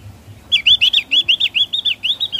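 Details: Javan grey-throated white-eye song in the ngeplong style: a quick string of about eleven high, wavering whistled notes, evenly repeated, over faint low background noise.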